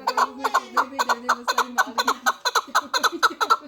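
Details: Four-year-old Pamir chukar partridge, a fighting and hunting bird, gives a rapid chattering series of harsh clucking notes, about two per second, in steady rhythmic bursts. A lower tone hums beneath the early notes.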